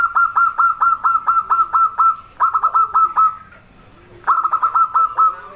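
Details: Zebra dove, local and wild, giving its song: a long run of rapid, evenly clipped coos, a brief pause, then a second run, a gap, and a third burst of the same stuttering notes.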